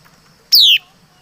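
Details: Single loud laughingthrush note, a pure whistle falling smoothly from high to mid pitch and lasting about a quarter second, against a quiet low hum.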